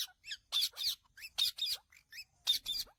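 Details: Calling Indian ringneck parakeet giving loud, shrill, rasping screeches in doubled bursts, repeated roughly once a second, with a few softer squeaky notes in between.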